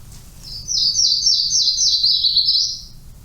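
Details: Yellow-throated Warbler, a sycamore-loving bird once called the sycamore warbler, singing a clear, high series of slurred whistled notes that trips down the scale over about two seconds, with a slight lift at the close.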